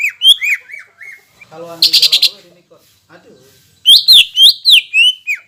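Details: Greater green leafbird, a singer used to provoke rival leafbirds; whistled downslurred notes, a harsh buzzy burst, a pause, then a loud fast series of looping whistles.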